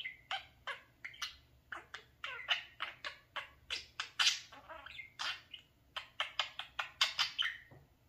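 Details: Mirror-obsessed talking parakeet, a male pet, chattering indoors in front of his mirror: a steady stream of sharp squawky chirps and clicks, roughly three per second, with occasional warbled notes.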